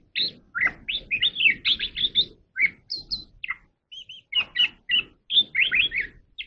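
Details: Oriental magpie-robin in voice practice, pouring out a rapid jumble of bright chirps, slurred whistles and short trills, then a brief pause, a few pure high notes, and another quick varied burst.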